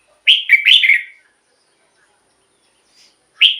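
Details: Red-whiskered bulbul song intended for decoying or exciting caged birds: one rollicking phrase of three or four quick whistled slurs, a pause, then the first note of the next phrase.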